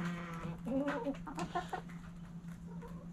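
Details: Backyard chickens at morning sunrise, hens clucking: a cluster of throaty, rounded clucks in the middle, with a few quieter scattered notes and clicks around them and a constant low hum behind.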